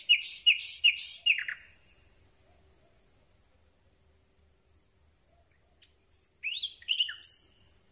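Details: Common Nightingale nocturnal song, recorded from very near: four loud, evenly spaced, piping notes in a row, a long silent gap, then a twisting phrase of slurred whistles and chips.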